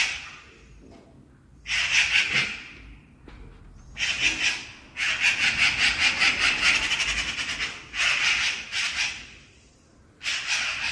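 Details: A magpie chattering at night, a warning call: harsh, rattling chatter in several bursts of one to two seconds, fast and dry, with quiet pauses between.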